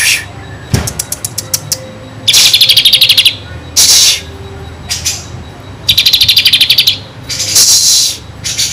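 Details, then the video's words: A kinoi sings bright, high chirps and rapid trills in short bursts of about a second, with brief buzzy notes between them, over quiet background hiss; used as a tutor song for white-rumped shamas. "kinoi gacor isian kapas tembak"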